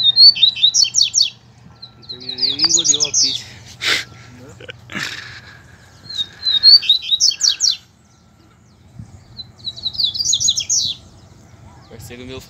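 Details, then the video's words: Captive Double-collared seedeater males dueling in song with a loose male: three bursts of rapid, buzzy high warbling separated by pauses, with people talking and a few clicks and knocks between phrases. "Coleiros Altas Horas e Braddock Cantando e Disputando Com o Coleiro Solto!!!"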